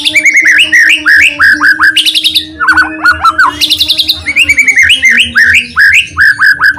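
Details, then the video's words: White-rumped shama song used as a lure to make other shamas sing: rapid varied phrases of rising whistles and buzzy trills, densely packed and loud, over a steady low hum. "PANCINGAN MURAI BATU ...KURANG GACOR,,!!,, PASTI NYAUT IKUTAN GACOR,, GAK BISA DIAM"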